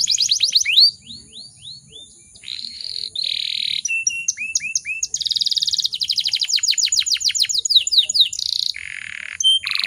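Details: Breeding-condition female canary whose loud song is meant to excite other canaries into singing along. A varied sequence of slurred whistles, sustained buzzy notes, and several rapid trills of sharp descending sweeps.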